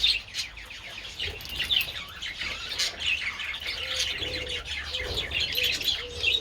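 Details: Budgies with treats in the sun on 27 February chatter in high, scratchy warbles and chirps; toward the end a separate short, lower whistled note repeats roughly every half second beneath the flock.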